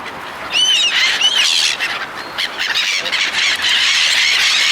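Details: Gulls being fed by people: a few clear, arched, squealing calls early on, then a dense, continuous chorus of overlapping high cries from many birds.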